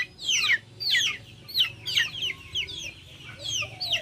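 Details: Backyard chickens call with sharp, high downward-slurred peeps, often doubled, repeated irregularly about one to two times per second over faint low background noise.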